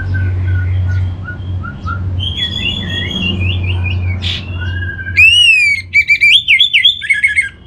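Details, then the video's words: Orange-headed thrush song used as a lure to get kept birds singing: faint distant whistled phrases at first, then loud clear whistles with rising sweeps and a quick series of repeated ringing notes. "Pancingan Burung ANIS MERAH Agar Gacor"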